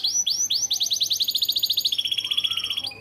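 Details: AF canary, yellow, singing lively fill-in song: a few well-spaced rising notes, then a fast, even run of repeated swept syllables that settles into a slightly lower steady trill.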